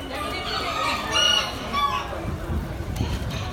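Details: Miniature black chicken of the Aztec kikiriki type, exhibited at an October 2019 expo, gives a short, strained, harmonic call lasting about a second, followed by background chatter and handling noise from the show hall.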